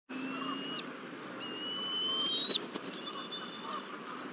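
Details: Wild bald eagle nest at Decorah, Iowa, on 24 April 2023, the male feeding a chick; thin, high whistled notes hold steady then rise sharply, in two drawn-out series over a steady background hiss.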